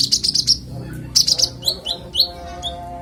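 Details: Konin (Oriental magpie-robin) clear song for tutoring songbirds: a quick run of high sharp chips followed by several falling slurred whistles spaced about half a second apart, over a steady low hum.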